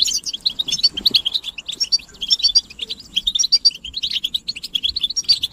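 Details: European goldfinches chattering together to motivate a silent male. A steady stream of quick, high, tinkling twitters and chirps continues, with brief breaks between phrases.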